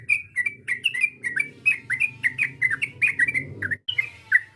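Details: Yellow-vented bulbul call for provoking a rival: lively, repeated whistled chirps rising and falling, with faint low background noise.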